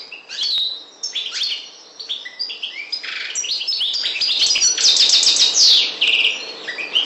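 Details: European goldfinch song meant for teaching young birds to sing: quick, bright twittering phrases of short chirps and trills, with a dense buzzy rattle in the middle and liquid notes near the end, loud and clear throughout.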